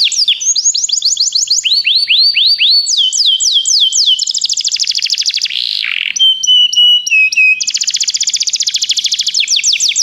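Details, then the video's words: Begie canary song for training: loud, varied phrases of repeated swooping upslurred notes, rapid rolling trills, a brief lower rasping note, and pure steady whistles, changing every second or two without pause. "Canários Begie cantam muito"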